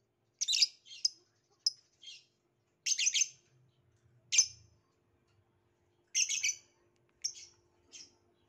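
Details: Violet lovebird uttering shrill, rasping chirps, singly and in quick doubles, with short silent gaps between them.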